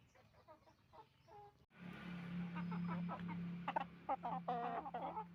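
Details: Roosters and hens on a chicken farm: quieter clucks at first, then a loud busy flock of rapid harmonic clucks and squawks over a constant low machine drone.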